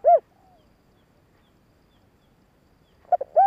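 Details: Spotted dove cooing to lure males: a single short coo at the start, nearly three seconds of quiet, then quick stuttered notes leading into another coo.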